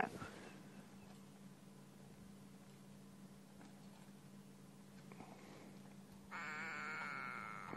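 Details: A go-away-bird at sunrise in Sabi Sand, South Africa, July 2016, gives a drawn-out, nasal, bleating call near the end before flying off, over a steady low safari-vehicle engine hum and faint background noise.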